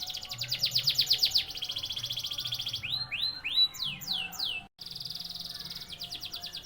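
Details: Ordinary canary singing: rapid high buzzy trills and rolls alternating with runs of sweeping downslurred whistles, steady and loud, with a brief gap near the end and faint low background hum.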